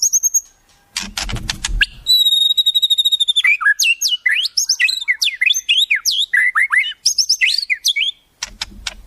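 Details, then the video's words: White-rumped shama song used for tutoring, with wild-bird phrases. A high whistle and clicky chatter lead into a long held tone, then a rapid, varied stream of sweeping, chattering notes ending in dry clicks. "Masteran Murai, Isian Burung Alam Liar"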